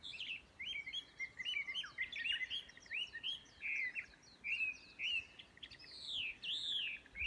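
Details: Chinese hwamei singing at Yudanaka Onsen in Yamanouchi, Nagano Prefecture, Japan, on 12 May 2020: rich, fluty whistled phrases with rising and falling slurs, delivered in bursts roughly every half second, loud and clear over quiet background.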